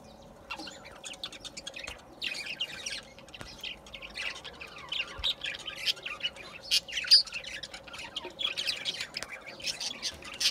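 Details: Continuous budgerigar chatter: rapid scratchy chirps, squeaks and buzzy warbles running together without a break, with a low steady hum underneath.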